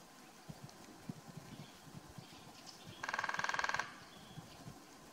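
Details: Male lesser spotted woodpecker (Dryobates minor) in oak woodland, Karst, Slovenia, February 2024, drums one even, rapid roll of about fifteen strikes under a second, amid soft low knocks and faint rustling while feeding on oak galls.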